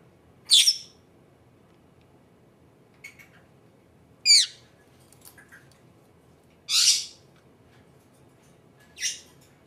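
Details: Female pet Senegal parrot indoors, uttering shrill, high squawks in four sharp bursts spaced about two seconds apart, with a quiet room between calls.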